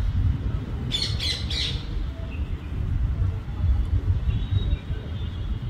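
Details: A bulbul in India, collecting nest material in hot summer, gives three quick, harsh chattering notes in under a second, over a steady low rumble of wind.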